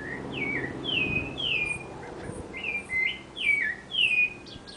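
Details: Sabiá thrush singing at home in an urban backyard: repeated clear whistles, each dropping in pitch, some paired with a lower note. There are about eight in quick succession, with faint high chirps between.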